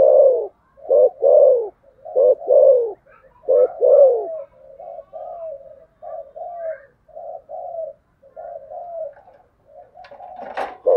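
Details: Spotted dove fighting coo, 'thổ sấm' style: five or six strong phrases of short notes plus long falling coos, then softer, shorter coos trailing off. A brief clatter sounds near the end.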